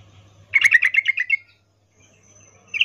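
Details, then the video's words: Female sooty-headed bulbul's in-heat call to a male, 'ngecuplik' style: one lively chattering burst of about a second of tumbling notes, then silence and the beginning of another phrase. "Trucuk BETINA memanggil Jantan Suara Birahi Ngecuplik"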